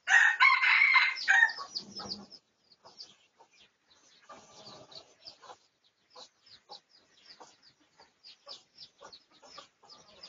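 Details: Pradu-coloured red junglefowl in a research recording from 18 August 2023. A loud, rough crow fills the first two seconds. It is followed by a long run of soft, sharp ticks and short chirps, with quiet gaps between them.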